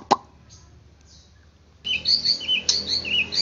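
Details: White-rumped shama, meant to stir a kept bird into agitation and full song. A single click and near silence give way to a continuous stream of high, bright chirping and twittering phrases over a low hum.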